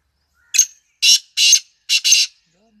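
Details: A black francolin gives its grating call: one short rasp followed by two pairs of broad, scratchy, buzzy notes delivered rapidly over under two seconds, with near silence around them.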